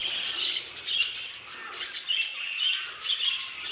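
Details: Aviary budgerigars keep up a rolling, raspy warble with short rising squawks and chirps repeating every second or so, many voices blended together.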